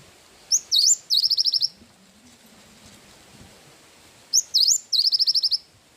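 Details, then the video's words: High, strong bursts from an actively singing cinereous tit, isian wingko style, used to train songbirds: hooked whistled notes running into rapid buzzy trills, heard twice and separated by a quiet gap with soft background hiss. "Burung gelatik batu gacor isian wingko"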